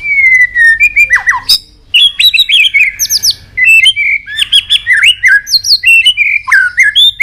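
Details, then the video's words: Highly stirred White-rumped shama flicking its tail, pouring out a continuous many-voiced song of loud rich whistles, sweeping slurs and quick chirps, almost without pause. "Chòe Lửa tạch đập đuôi kích lửa cực sung. kích chòe Lửa lên lửa sổ giọng.chòe Lửa hót nhiều giọng"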